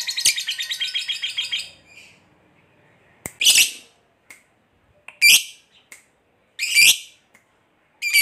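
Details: Lovebird giving the long 'ngekek' chattering song that prompts silent lovebirds to answer. It opens with a fast, shrill repeated chatter lasting under two seconds, followed by separate harsh, screechy bursts spaced a second or more apart.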